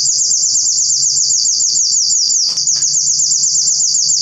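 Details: Song of a Belgian canary: a continuous high, rapid trill of quick repeated downslurred notes, about four per second, held without a break; a soft low hum beneath.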